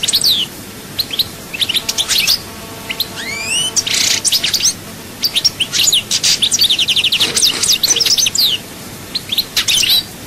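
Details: European goldfinch singing at Souk Ahras in chaayba style: a rapid, twittering run of high, tinkling notes and short buzzy trills, sometimes broken by brief pauses, with a faint low tonal hum beneath.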